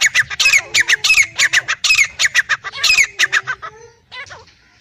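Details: Black francolin, male and female, uttering quick grating squawks in an uneven series for about four seconds, then fading to a few faint notes.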